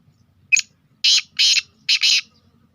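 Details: Black francolin, called Sindhi kala teetar, a bird from Sindh and Punjab: one short sharp note, then three loud, harsh, grating bursts in quick succession, the last two joined. The background is otherwise quiet.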